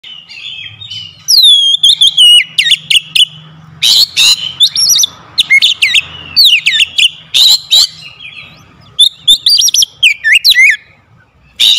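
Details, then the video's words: Oriental magpie-robin lure song meant to spur reluctant birds into singing: loud, clear whistled phrases with rising and falling sweeps, rapid chattering notes and sharp chips in bursts with brief pauses, over a faint low hum. "KACER PEMIKAT KACER MALAS BUNYI LANGSUNG TERPANGGIL IKUT GACOR"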